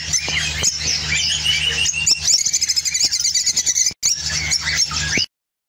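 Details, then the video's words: Orange opaline lovebird from Spain singing: dense, squeaky chattering and high twittering chirps, a rapid stuttering run of pulses midway, a brief pause near four seconds, then more shrill chatter over a steady low hum. "Spain Opline Orange Love bird singing"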